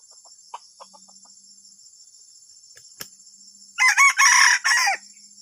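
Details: Junglefowl, with its strange disruptive call: faint ticks and a sharp click come first, then near four seconds a loud rasping burst of four segments with wavering, bending notes, over a steady high electronic tone.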